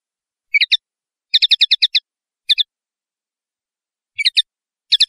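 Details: Common linnet song: short bursts of bright twittering notes, a quick run of six chirps in the middle, then scattered paired and triple chirps, all high and clean with silent gaps between phrases.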